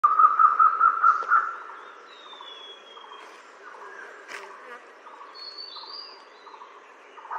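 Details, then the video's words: A peafowl (a grey peacock) gives a quick run of about six loud, nasal honking notes in under two seconds, then goes quiet, followed by thin, high whistles from other birds. "Peacock Sound"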